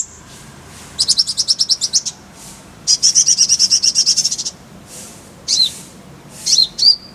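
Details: Oriental white-eye (konin) song, on a tutor track paired with kolibri ninja: two fast, high, thin trills of evenly repeated notes, each about a second long, then a few separate bright chirps over quiet background hiss.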